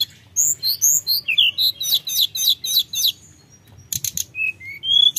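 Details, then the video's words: Busy mountain flowerpecker song meant to spark singing in lazy birds: high whistled slurs, a series of rapid repeated ticking phrases, a brief lull, then thin rising whistles. "Suara tledekan gunung gacor‼️pancingan emosi tledekan malas Bunyi"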